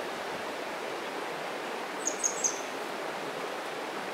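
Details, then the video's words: Grey wagtail in spring song by a mountain stream, perched unseen on a rock across the water, in dark-throated summer plumage, possibly a young male: three quick, sharp, very high notes against the rushing stream. "キセキレイ春の囀り Song(Grey Wagtail)"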